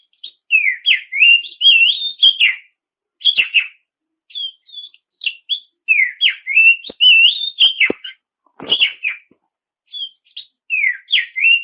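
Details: Oriental magpie-robin (kacer), a bird whose song is played to provoke rivals into singing: clear whistled phrases gliding between mid and high pitch, short slurred notes and brief pauses, a few sharp clicks.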